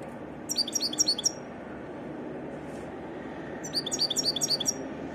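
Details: A European goldfinch sings two bursts of fast, bright twittering, each a quick string of high liquid notes, separated by a quiet gap of more than two seconds; low steady hum behind.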